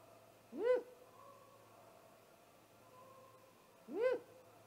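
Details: Live nest camera at a great gray owl nest during a great horned owl attack shortly after midnight on 30 March 2018: two sharp rising screechy cries about three seconds apart, with faint tones between.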